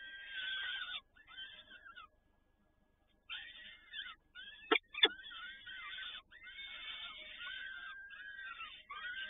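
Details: Peregrine falcons in Toruń on 7 May 2019, with both parents feeding at the nest. Bursts of rasping, wavering calls are broken by a silent stretch and two loud clicks, then the calls resume and continue to the end.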